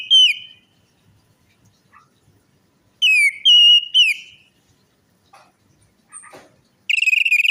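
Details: Orange-headed thrush lure song for a quiet or stressed bird: short pure whistles falling in pitch, repeated in a cluster after a pause, faint scattered chirps, then a rapid trilled whistle at the end.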